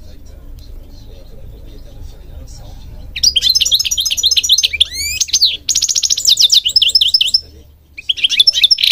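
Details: Goldfinch from Morocco, quiet low rumble at first, then a sudden rush of rapid chirps, sweeping slurs and buzzy trills.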